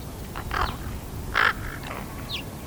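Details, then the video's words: Baby raven aged thirteen and a half weeks learning to use its voice box, giving two loud, rasping, hoarse croaks about a second apart, then softer broken notes and a brief higher squeak at the end. "Baby raven makes adorable noises"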